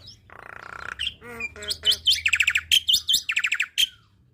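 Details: Black-winged myna song used as tutor material for young birds to copy, full of tembakan phrases: a buzzy nasal block, then stacked harmonic notes and a fast run of sharp whistled chevrons, roughly one per second.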